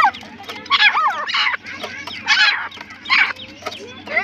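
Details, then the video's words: Vigorous partridge (teetar) calls: grating, warbling bursts with looping, wavering tones, four main phrases spaced under a second apart over a low hum. "teetar ke awaz |teetar ke boli"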